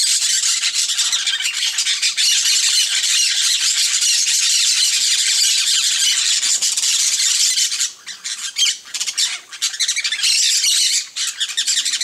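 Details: Peach-fronted parakeets, a flock at a feeder, fill the air with an unbroken chorus of shrill, overlapping squawks for about eight seconds, then continue in choppier bursts with brief gaps.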